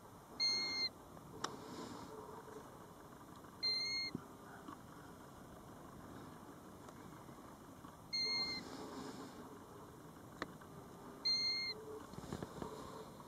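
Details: Mournful, steady whistles from a European golden plover beside its nest by a roadside in Båtsfjord, Norway, captured from a parked car; four separate notes at irregular gaps of about three to four seconds over quiet background hiss.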